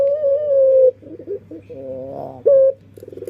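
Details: Dove singing: a long, steady, low coo of almost one second with rich overtones. A quieter burbling note follows, then a short second coo. A constant low hum runs underneath.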